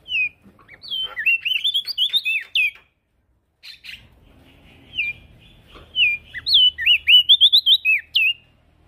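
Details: Male prinia in active song, recorded to train crested white-eyes: two rapid runs of bright, rolling whistled notes separated by a silent gap with a few scattered chirps.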